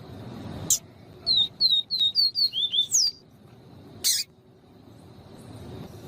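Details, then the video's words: A captive Yellow-bellied Seedeater (Sporophila nigricollis) gives a clean viviti song mixed with a female call used to excite males: a quick run of about eight high, slurred, dipping whistles over two seconds, with sharp clicks before and after. "PAPA CAPIM VIVITI LIMPO E PIADO DE FEMEA"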